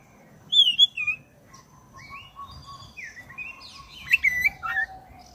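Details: Oriental magpie-robin of the black-breasted type, a vigorous singer used to stir caged birds into song, giving a long, varied run of clear whistles, slurred rising and falling notes and chattering bursts, with a steady low tone underneath.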